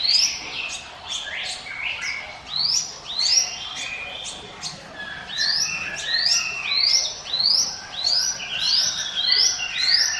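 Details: Hill Prinia giving its 'ngiwit wit' song, meant as a lure for other birds: fast chains of sharp, upslurred whistled notes with brief pauses, rolling on for ten seconds.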